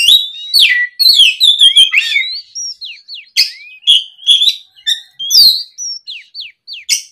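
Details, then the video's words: Oriental magpie-robin singing at the afternoon to draw other birds into song, a loud string of sweet rising and falling whistles mixed with sharp clipped notes, about two a second, clear and close. "SUARA PIKAT BURUNG KACER GACOR NGEPLONG SORE, MEMANCING KACER BAHAN AGAR LEKAS BUNYI NYAUT & GACOR!"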